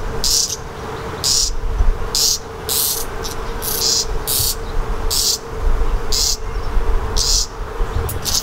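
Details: A redstart fledgling gives short, hissing, high begging calls, about once a second, while being fed by its parents, over a steady low hum and background rumble.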